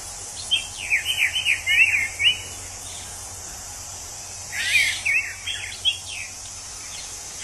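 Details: Wild orange-headed thrush singing, a bird whose voice is likened to a drunk person. Two bursts of quick slurred whistles, rising and falling, each lasting about two seconds, separated by a pause, over a steady high insect-like hiss.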